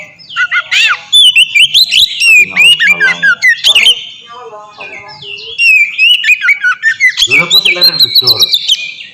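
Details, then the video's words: Oriental magpie-robin (kacer) singing in ngeplong style, used as a lure and master song to get untrained kacer singing fast: loud varied whistled phrases with rising and falling slurs and rapid chattering notes, in two bursts separated by a short pause. "suara burung kacer ngeplong merdu sangat ampuh buat pancingan kacer bahan bikin cepat gacor"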